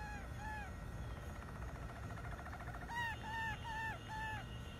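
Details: Singing Malinois canary: arched whistled notes, a soft rapid rolling trill, then four louder rounded whistles in a steady beat, with low background hum.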